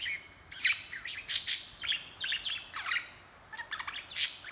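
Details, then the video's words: Domestic budgerigar chattering nonstop while filmed by hand: dense clusters of scratchy, high chirps and buzzy trills, rapid and uneven, with short quiet gaps between bursts. "Budgie talking & chattering"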